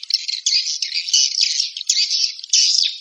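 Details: High, harsh, buzzy chattering from swiftlets in loud overlapping bursts, with short breaks between phrases.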